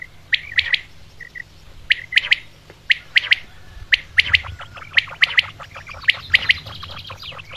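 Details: A common quail (Coturnix coturnix) gives sharp, liquid three-note phrases, 'whit, whit-wit,' repeated about once a second over a faint low hum.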